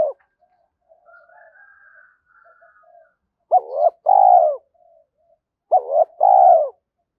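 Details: Spotted dove using the thổ pha thúc style to entice wild birds. Faint, hummed coos come first, followed by two loud paired phrases. Each phrase is a short bent note and then a long, rounded, falling coo.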